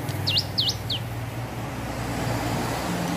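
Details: Hill prinia learning to sing: three sharp V-shaped whistled notes in quick succession, then quiet, over a steady low engine-like hum from traffic.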